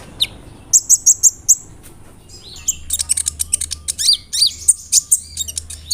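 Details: Kolibri ninja sunbird with mimicked cricket, cililin and sparrow phrases: a row of five evenly spaced high ticks, then a busier jumble of chirps and down-slurred whistles.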